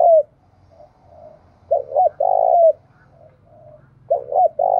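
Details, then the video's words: Spotted dove in the Đồng Nai mountain forest, where 'gáy thúc' and 'gáy gọi' calls are heard. Repeated phrases of two clipped notes and a long, rounded coo come about two seconds apart, with a soft low coo between them. "Tiếng chim cu gáy thúc và gáy gọi vang cả núi rừng Đồng Nai"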